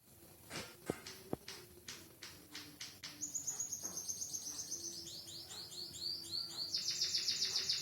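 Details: Captive white-headed munia tutored with canary song, singing steadily: scattered clicks and ticks give way to rapid trills of high, down-slurred notes, ending in a dense buzzy trill.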